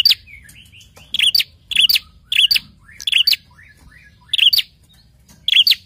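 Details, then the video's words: Prinia calls of short, sharp double chirps in quick succession, with soft thin whistled notes between bursts; a recording meant to excite prinias into calling back. "Sekali putar prenjak langsung emosi dan ikut bunyi"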